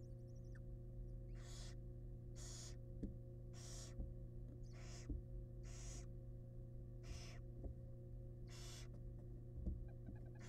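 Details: Male barn owl bringing a big rat to his family in a wild, monitored nest box; rhythmic hissing screeches sound about once a second alongside soft clicks and a steady mechanical hum.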